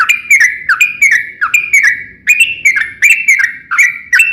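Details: Trucukan, the yellow-vented bulbul, in a vigorous 'ropel panjang' song meant to provoke other bulbuls into answering. Slurred whistles drop and level off, repeated about every third of a second with crisp attacks and faint low background rumble.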